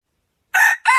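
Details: Rooster crowing, a short clipped fragment of two hoarse, harmonic-rich bursts, the second briefer, with silence before them and no other sounds.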